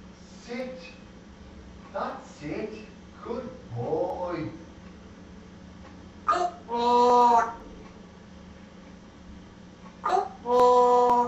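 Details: African grey parrot with a Geordie accent, able to bark as two different dogs and laugh in five voices; short voice-like syllables, then two longer harmonic, wailing tones, indoors.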